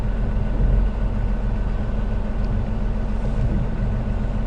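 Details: Loud, steady low engine rumble from an idling vehicle at sunset on a safari drive, with no animal calls.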